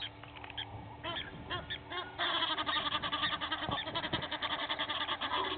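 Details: Egyptian geese, two families fighting at Gowrie dam, Djuma Game Reserve, South Africa, early morning; scattered honks swell into a dense, continuous harsh chattering chorus from mid-clip.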